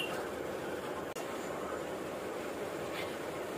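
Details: Steady room hum like a fan or air conditioner, with one sharp click and a faint rustle; no animal voice.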